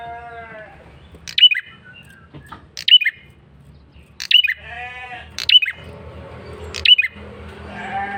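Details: Male bar-winged prinia giving a persistent, lively lure call: sharp high chirped notes with clicky attacks, repeated about every one and a half seconds, with softer bleating, harmonic sounds between phrases.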